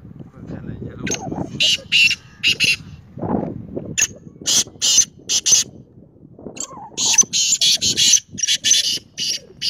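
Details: Kala teetar, the black francolin, calling in two harsh, scratchy bursts of clipped grating notes. A low rumbling murmur runs underneath.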